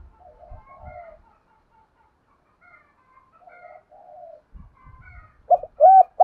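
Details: Spotted dove used as a decoy to draw in wild doves: faint, soft coos at first, then loud, short, arched coo notes burst out near the end, with low rustling thumps in between.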